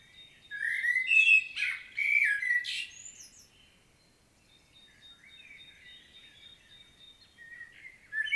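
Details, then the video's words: Field recording of a common blackbird's detailed solo song in Świnoujście, Poland, 25 September 2022: rich, mellow warbled phrases ending in squeaky high twitters, followed by quiet thin whistles before another phrase begins. "Blackbird's solo"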